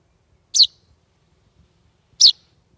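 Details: Common chaffinch fledgling found on a doorstep at around half past eight on a warm July 2020 evening in Estonia, left unattended by its parents: two sharp, high chirps about one and a half seconds apart against near silence.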